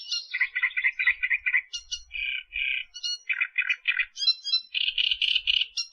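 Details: Australian reed warbler in full song, set up as a training recording: harsh, chattering notes repeated in quick runs of three to five, alternating with higher squeaky phrases and brief whistles, loud and continuous throughout.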